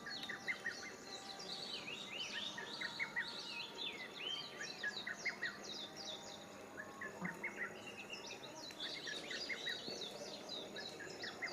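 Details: Several small wild birds singing together beside a pond near a sports park in June, a dense overlapping chorus of quick high chirps, slurred whistles and twittering notes continuing throughout, with no pauses.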